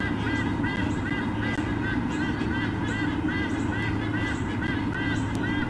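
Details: White-bellied sea eagle at its nest in Olympic Park, Sydney, Australia, on an October 2014 morning during a visit, giving a fast run of nasal, goose-like honks, about two per second, over steady hiss and low hum.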